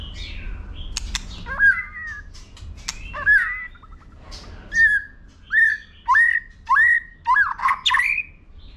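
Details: White-rumped shama, a male singing for competition: a run of loud upswept whistles, roughly twice per second, each rising then levelling, preceded by softer notes and dry clicks.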